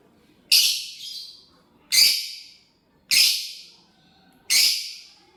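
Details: Lovebird chirping while eating corn: four loud, sharp high chirps spaced roughly every one to one and a half seconds, each a harsh shrill burst fading quickly, with a faint softer echo after the first; quiet background otherwise.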